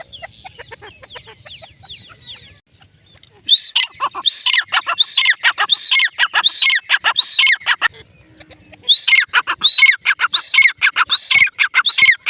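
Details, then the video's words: Grey francolin female calls: after a faint, scratchy opening, loud shrill looping notes begin, briefly pause, then resume in a steady rapid series of harsh whistled squeals. "Female teetar sound"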